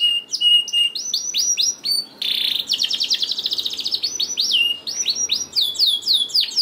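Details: To stir lazy canaries into song, a canary delivers swooping whistles, a loud buzzy burst, a long fast rolling trill, and then evenly spaced descending slurs with high chip notes above.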